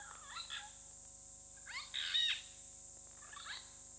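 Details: Pair of Purple Rollers at Hyena Pan, Khwai Private Reserve, Okavango Delta, Botswana, caught on a webcam: rasping, harsh bursts in three groups, the loudest near the middle, over a steady high electronic hiss and low hum.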